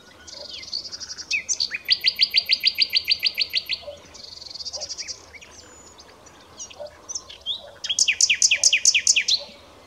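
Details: Common nightingale (Luscinia megarhynchos) in full song: a long rapid series of repeated clicking notes, then varied twittering, ending in a loud fast run of sweeping repeated elements, against soft background noise.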